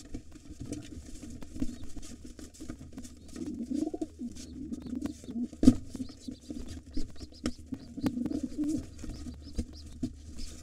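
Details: Wild pigeons fighting at a nest with two nestlings, a white father driving off a gray intruder. Deep rolling coos swell twice, broken by a sharp knock and steady scuffling and flapping noises.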